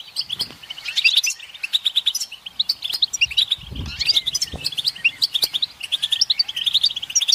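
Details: Mating and readiness calls of a flock of European goldfinches chattering together to encourage males to sing; lively crowded twittering and sharp chirps throughout, a soft low thump in the middle.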